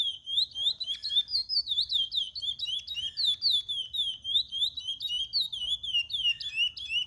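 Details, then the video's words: A bred chestnut-bellied seed finch sings to teach young birds, pouring out a fast chain of bright whistled notes, each swooping up and down, with a brief faint low hum beneath. "Curió para ensinar filhotes."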